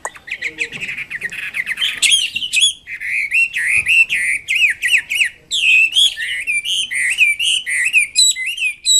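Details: Wambi kembang mandarin singing continuously: hurried, varied chattering turns into a steady stream of loud, bright whistled notes, some rising, some dipping, with faint low knocks in the background.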